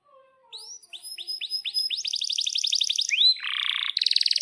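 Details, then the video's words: Atlantic canary song used as a tutor for young canaries learning to sing and for silent canaries: a series of rising whistled sweeps repeated about four per second, then a fast trill, a buzzy rattle and a final rapid trill. "Kenari GACOR PANJANG INI Cocok untuk Masteran KENARI PAUD dan Kenari Macet BUNYI"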